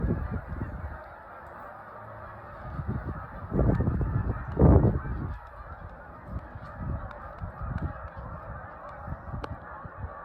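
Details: Large flocks of Canada geese flying high overhead, dated 1/4/26: a dense, continuous chorus of overlapping nasal honks, swelling loudest around the middle, with low rumbling underneath.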